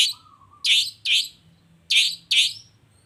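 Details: Long-tailed shrike sound to provoke other shrikes to answer: a short thin whistle, then four loud, grating, rasping notes in two pairs, each under half a second.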